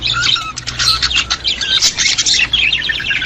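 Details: Budgerigars, sound used to stimulate other budgies: a dense, continuous warbling chatter of high chirps, squeaks and buzzy notes from several birds, with a faint low hum underneath.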